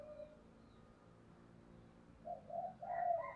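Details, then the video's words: Spotted dove kept as a decoy, its "thúc" call used to excite wild doves: a faint early coo, then a quick run of throaty coos with higher overtones over a steady low background hiss. "Cu mồi thúc vầy chịu gì nổi"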